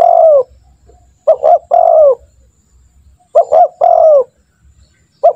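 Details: Loud, clean spotted dove calls used as a lure for training birds to call: paired short notes sliding into a long downward coo, given twice and starting a third, with soft low background hum.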